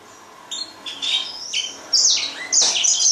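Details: Grey singing finch giving a few short, bright, warbled phrases of high notes, rising and falling, over a steady background hiss.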